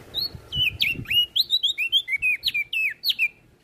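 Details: Olive-backed tailorbird in full song, used to teach songbirds: a steady stream of sharp, curving whistled notes, some rising and some dropping, with a few soft low knocks underneath.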